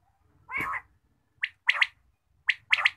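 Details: Morning quail call: one harsher, broader note, then two crisp triple-chirp phrases given in quick succession against a quiet background.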